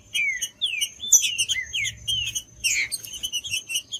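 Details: Green-winged saltator singing, meant to stimulate a cold caged bird to sing: rapid slurred whistled phrases, some sweeping down and some arching, crowded by busy high chirping notes and a faint constant high tone.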